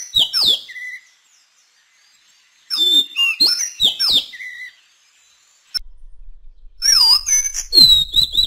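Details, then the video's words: Madagascar magpie-robin singing bright, varied whistled phrases mixing sweet notes, slurs and sharp chips, in bursts separated by short pauses. "Kicau Kacer Madagaskar"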